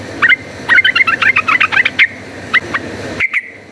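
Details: Yellow-vented bulbul giving a fighting song used as a lure to rouse other birds: a fast bubbling run of short liquid notes, then a few spaced single notes, with background noise.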